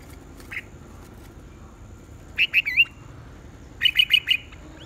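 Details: Morning singing contest of red-whiskered bulbuls: a brief single note, then two loud clipped phrases of three to four rapid, bright, slurred whistles each, separated by about a second, over faint low hum.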